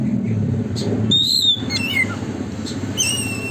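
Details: Oriental magpie-robin (Copsychus saularis), song: lure to prompt another magpie-robin to spread its tail.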